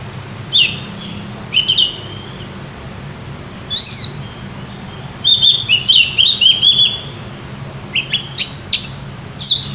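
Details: Javan grey-throated white-eye in loud, open song: scattered high whistled chirps, then a fast run of sweeping notes near the middle and a few more short phrases toward the end, with a low hum underneath.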